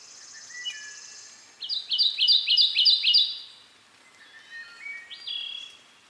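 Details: Kentucky warbler of eastern North America singing in the foreground, a wood thrush in the background: a loud run of about six rolling two-part phrases repeated quickly over under two seconds, preceded by a high buzz and followed by fainter whistled notes.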